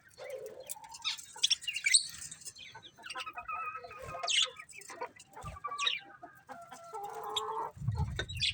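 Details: Colourful budgies chattering, loud scratchy squawks and rapid warbled chirps with brief sustained whistles, ending with a low thud.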